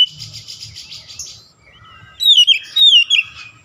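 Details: Oriental magpie-robin song used to provoke a rival into emotional singing: a buzzy chattering start, a quiet gap, then loud clear whistled phrases with wavering pitch and rapid repeated notes.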